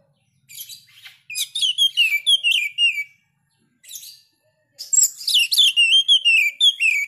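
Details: Oriental magpie-robin singing sharply, with varied whistled notes, downslurs and chattering phrases in two bursts separated by a short pause and a brief harsh note.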